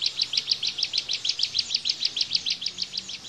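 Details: Bar-winged prinia (ciblek) sings a fast, even run of high, sharp chipping notes, about six per second, with nothing else heard.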